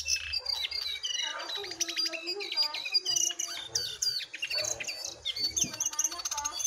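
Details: Jongkangan song duel between a wild bird and a caged bird, captured on basic gear; continuous busy chatter of sharp chirps, rattling trills and rising and falling whistles.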